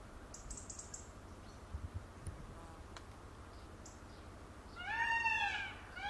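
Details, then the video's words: Dancing peacock with tail feathers opened, giving a loud arched wailing cry near the end after several seconds of quiet background hiss and faint knocks, then the start of a second cry. "peacock sound"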